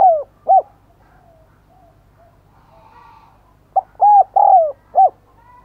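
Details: Decoy spotted dove cooing to lure others: clipped low coos at the start, a quiet stretch with faint background sound, then a full phrase of a short note, two long mellow hoots and a final short coo.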